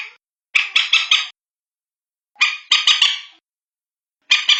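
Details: Common moorhen (bantiung) calls used to draw the birds in at night: harsh, grating bursts of three or four quick notes, each burst lasting about a second and repeated roughly every two seconds, with nothing else audible.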